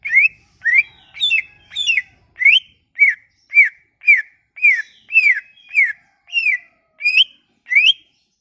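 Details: Leafbird song played to encourage a silent leafbird to sing: steady, ringing whistled notes, some rising and some falling, repeated almost twice per second throughout.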